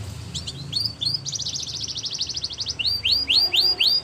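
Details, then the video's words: Canary song, somewhat soft, with a fast buzzy trill in the middle and clear descending whistled notes repeated near the end over faint background noise. "Canary Sound Effect | Canary Singing Video"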